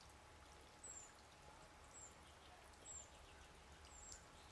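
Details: Cedar Waxwing feeding on berries, giving thin, very high lisping whistles that slide slightly downward, four in under five seconds, over a steady rushing hiss like pouring water.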